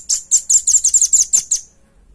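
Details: Velvet-fronted nuthatch, recorded for teaching songs to other birds: a short, loud run of eight high, bright chirps, the middle notes packed closely together.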